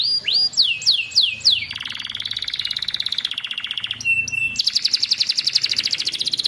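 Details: Young canary song used as tutor material to get silent canaries singing: a run of five sharply upswept whistled notes, then a long rapid rolling trill, a brief pause, and a higher buzzy trill, with a faint low hum behind.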